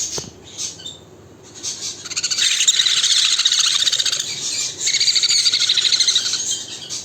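A conure gives harsh, raspy screeching calls in rapid bursts, coming in two long runs after a quieter start.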